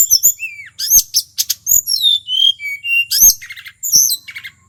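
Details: Wild male tledekan from Mount Merapi sings to stir up other birds: gliding whistles and slurred notes between short bursts of high chirps and buzzy rattles.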